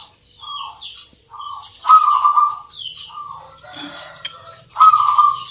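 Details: Zebra doves (perkutut) competing in a Nglagu Ngepat Mentaraman rhythm contest in Yogyakarta: short gentle coos build into longer, louder rolling phrases, mixed with high whistled chirps from other birds.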